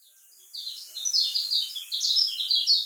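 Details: Lemon-bellied white-eye (kecial kuning) of Lombok, used as a lure to prompt other birds to sing: a soft, blurred run of high twittering notes starting after half a second, building into denser, brighter chattering with faint background hiss.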